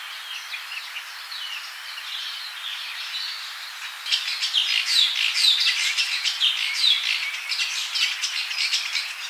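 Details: A foraging Dark-capped Bulbul at Giant Castle, South Africa, on 14 November 2022 chatters in quick, bright chirps that run together, growing louder and busier halfway through, with other small birds possibly mixed in.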